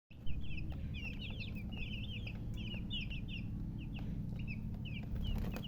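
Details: Newly hatched chicks peeping loudly in a dense, overlapping chorus of short, high, falling chirps, several per second, over a steady low rumble.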